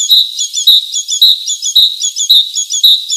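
A titmouse gives bright, high chirping notes in quick bursts, repeating about every half second with no other sounds.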